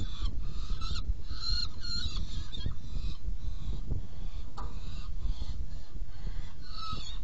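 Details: Nest box of a saker falcon, feeding on 17 June 2018, 10:31: a burst of harsh, repeated calls opens, the middle goes quieter, and a few more rasping notes close, all above a deep continuous rumble.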